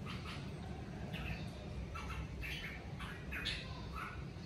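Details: A red-whiskered bulbul kept at home sings naturally in short, bright chirping phrases, several a second apart, over a steady low rumble of background noise.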